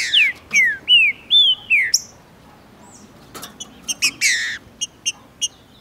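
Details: Spirited male Green-winged saltator in Brazil, stirred by a nearby female during breeding and tournament season, singing to open another bird's song: five loud slurred whistles in two seconds, then scattered clicks and short chips.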